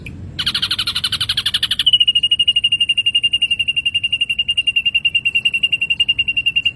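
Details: Rapid gacor song of an ashy drongo: a rough buzzy chatter opens, then gives way to a long, unbroken run of clear, evenly spaced high pips.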